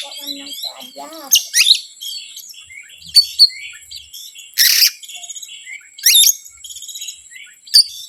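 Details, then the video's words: Oriental magpie-robin lure song meant to provoke rivals: low whistled notes, then varied high whistles broken by loud harsh bursts about every one to two seconds. "PANCINGAN BURUNG KACER YANG SUSAH PANAS 99%EMOSI"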